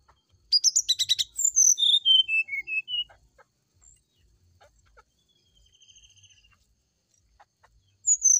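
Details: Brown-chested jungle flycatcher singing in the morning, a fluting song meant to prompt other birds to answer: a burst of rapid clicks, then clear whistles stepping down in pitch, followed by faint scattered notes and quiet.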